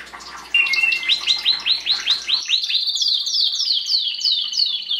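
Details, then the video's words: Singing Belgian canary, meant to encourage chicks during the 2016 breeding season; loud rhythmic series of descending swooping notes, about four per second, continuing steadily with a faint hum early on. "Canario belga cantando (MELHOR CANTO) para encartar filhotes"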